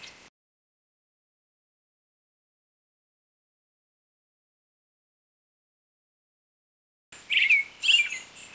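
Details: Brown-headed thrush (Turdus chrysolaus), a thrush that breeds in southern Japan and winters in southeast China, Taiwan and the Philippines: after a long silence, a quick burst of thin, high calls with a short slurred note, clustered in the last second and a half.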